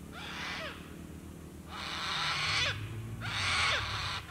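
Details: Sulphur-crested cockatoos screech at dusk beside Lake Broadwater, Western Downs, Queensland, Australia; three long, rasping, noisy squawks, each close to a second, separated by short pauses, with a soft low background drone.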